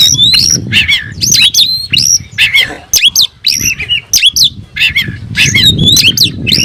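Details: Kacer, the oriental magpie-robin, in full song with tail fanned, stirring itself up to challenge a rival; rapid sequence of rising whistles, buzzy notes and sharp clicks in bursts, with low background rumble.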